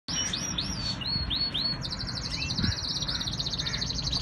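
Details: Canary singing in Islamabad, Pakistan: a string of rising-falling whistled sweeps, then a fast, even trill of repeated notes, over a steady low hum.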